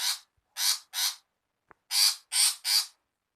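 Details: Female long-tailed shrike giving grating, scratchy screams, used as a bird-catching lure. Three bursts come close together, a pause follows, then three more.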